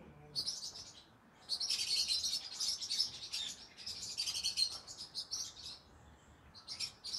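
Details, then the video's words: Green-cheeked conure singing in the evening, a run of dense high chattering and squeaky trills in two long bursts over faint background noise. "come hear me sing together Green Cheek Conure Parrot Bird"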